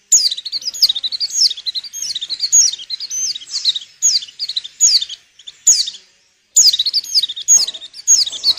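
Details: Female white-eye in breeding condition, calling to make males sing, used for luring: bright, high chirping phrases of quick slurred notes in bursts of about a second, with brief pauses between groups.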